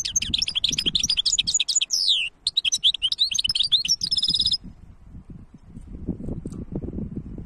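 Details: Caged European goldfinch hybrid singing a fast, rich stream of twittering, chirping notes mostly high, with a rapid trilled run near the end, then the song stops and low background rumble remains.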